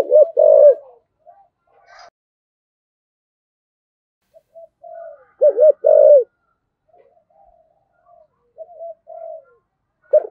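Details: Spotted dove cooing in the 'thổ' style to stimulate wild doves to respond: scattered low, wavering coo phrases separated by long quiet gaps, with softer notes between them and a brief click.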